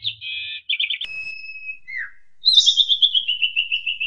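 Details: Asian pied starling therapy song in the lively ngentrok style: a buzzy opening note, a long steady whistle that slurs downward, then a fast pulsing trill that slowly falls in pitch.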